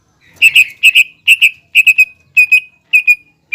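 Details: Excited greater green leafbird song meant to provoke a rival into intense singing, delivered as paired and tripled sharp whistles in short bursts separated by brief gaps, each burst ringing and bright.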